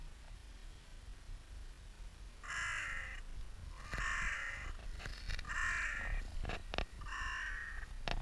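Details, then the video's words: Crows in spring at Clara Park, with mild slow motion applied to the sound: four harsh, drawn-out caws repeated about every one and a half seconds, with low background rumble and a few sharp clicks. "Krähenfrühling /crow-spring"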